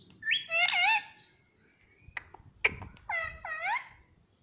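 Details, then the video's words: Indoor pet parrot imitating mummy: a loud, wavering, harmonic phrase, a few sharp clicks and taps in the middle, then two more nasal rising-and-falling syllables. "Talking parrot || Pattu Parrot Talking Mummy Mummy || Mummy Papa Bolne Wala Tota"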